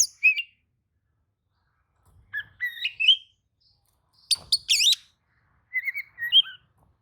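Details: Oriental magpie-robin singing in answer to another magpie-robin's song: scattered whistled notes and slurred phrases, then a harsh burst near the middle.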